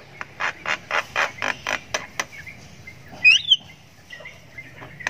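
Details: Javan myna chick (jalak kebo anakan) chirping while learning to call: a soft series of even, buzzy pulses, then a louder whistled, squeaky flourish and faint trailing notes.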